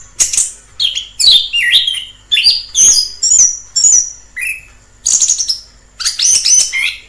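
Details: Orange-headed thrush in the wild gives a lively song of high scratchy notes and clear whistled slurs, phrases following each other quickly with short breaks.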